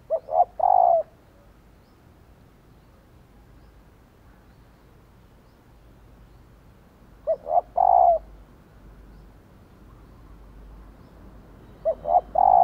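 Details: Female spotted dove calling to provoke males to coo back, giving three separate low coo phrases roughly five seconds apart, each a quick pair of short notes followed by a fuller falling coo, with near silence between them.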